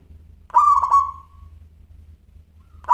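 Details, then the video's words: Local zebra dove singing in crystal voice: one bubbling, broken coo phrase ending in a fading drawn-out tone, then silence and the onset of the next phrase at the very end, with soft low hum. "Perkutut Lokal Gacor Suara Kristal"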